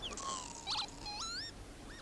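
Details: Northern Lapwing at a nest near the edge of Fox Tor Mire bog, Dartmoor, England, with young almost fledged: wheezy, slurred 'pee-wit' whistles sweeping upward at the end, about three in two seconds, over faint outdoor hiss.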